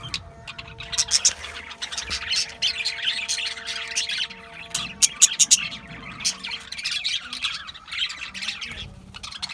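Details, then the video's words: Budgerigars, Australian budgies, in dense continuous chattering: overlapping high chirps, squeaks and warbles with short louder bursts, plus a faint steady low hum underneath throughout. "Budgies Chirping Sounds"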